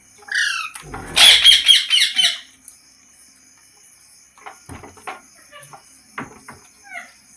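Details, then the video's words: Green parrot bursting into a loud, rapid run of harsh squawks and chirps early on, then soft clicks and faint short calls at low level. "Green Parrot Talking Natural Sounds | Tote Ki Awaaz | Mitthu Ki Awaaz"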